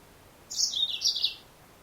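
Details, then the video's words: A female yellow-fronted canary delivers one high chirped phrase lasting nearly a second. It is made of two stepped, falling parts, bright and thin, and sounds clearly over a quiet background. "Mendengarkan suara burung Mozambik Betina"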